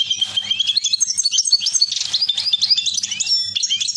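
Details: Caged European goldfinches during mating give a fast, liquid twittering of high tinkling notes and trills without pause, over a faint low electrical hum.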